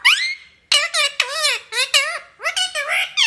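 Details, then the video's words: Pet parrot talking: a rising whistled squeal followed by a rapid run of harmonic, speech-like squawks and syllables in quick succession, filling the room at close range. "Parrot sound ❤️बोलने वाला तोता"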